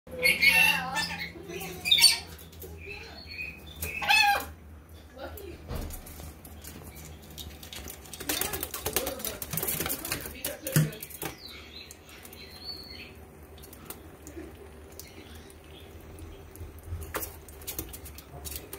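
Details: A pet rainbow lorikeet bathing in a kitchen sink gives a few harsh, screechy squawks, followed by splashing water.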